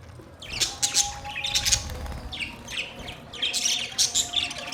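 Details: Several budgies chirp in rapid, buzzy high bursts, sharp ticks and short whistled notes mixed in, coming in uneven clusters.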